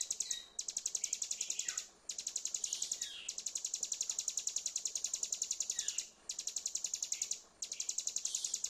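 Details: Mountain prinia song played to prompt a silent bird back into song: long runs of rapid, very high repeated notes forming dense trills, split by brief gaps, with a faint background hiss.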